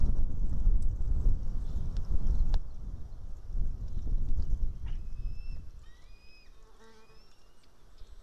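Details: Juvenile White-tailed eagle, apparently not yet flying, screaming very loud and close near the nest while its mother eats a fish, morning of 8 July 2018; thin rising whistled screams repeated in the last seconds after rumbling low noise.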